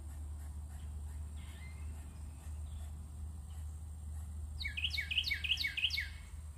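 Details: Carolina wren (Thryothorus ludovicianus) in Ocean Springs, Mississippi, USA, sings a loud, rolling series of four or five quick, ringing phrases near the end, over a steady low rumble and faint chirps.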